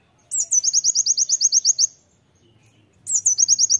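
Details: Oriental white-eye in loud song meant for training: a sharp introductory note, then about twelve quick, high rising chirps, a one-second pause, and the phrase starting again.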